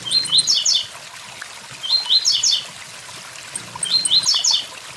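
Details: Blue-black grassquit near a waterfall giving three quick, high, buzzy phrases of rising stepped notes about every two seconds, with water rushing steadily underneath.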